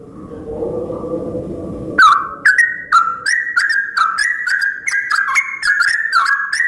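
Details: After about two seconds of low background noise, a sooty-headed bulbul starts its dawn song: crisp whistled notes in quick, bouncing phrases, each with a sharp onset.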